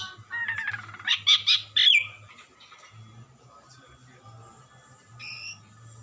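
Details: Asian pied starling giving a short burst of melodious song, chattering notes and loud whistles, then mostly quiet apart from a soft, high double note near the end, with a low hum throughout.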